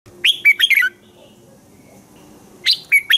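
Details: Red-whiskered bulbul morning song, used as a lure to train other bulbuls to sing: two short phrases of four or five quick whistled, slurred notes, the first near the start and the second near the end, with quiet between.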